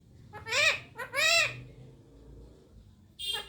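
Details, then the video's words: A pet talking rose-ringed (Indian ringneck) parakeet says "mommy" twice in a clear, high, two-syllable voice, each word rising then falling, with a brief squawk at the end. "calling mommy"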